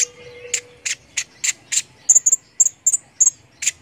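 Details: Brown-throated sunbird in full song, used to train contest songbirds: a steady string of sharp, high chips roughly every third of a second, shifting midway into clipped, piercing whistled notes.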